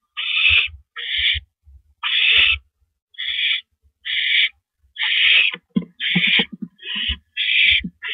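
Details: Barn owls at the nest at 8:45 PM on April 9, 2012, while the male brings in a rodent. Ten rasping, breathy hisses follow in irregular succession, with light scuffling and knocks toward the end.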